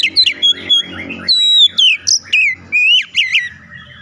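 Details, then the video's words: Oriental magpie-robin singing a varied series of sharp whistles, rising and falling slurs and quick chirps. The recording is meant to prompt magpie-robins to sing, and a low humming background runs beneath the phrases. "kicauan perangsang Kacer cepet gacor"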